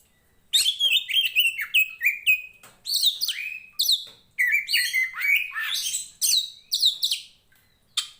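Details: Kacer poci Tretes, the Oriental magpie-robin, a combative songster used to train other birds; after half a second of quiet, energetic varied phrases of clear whistles, slurred notes and chatter with brief pauses.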